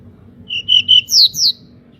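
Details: Local pied bushchat singing with spread wings, used to make other birds sing: three short level whistles followed by two louder downslurred whistles, above a steady low background rumble.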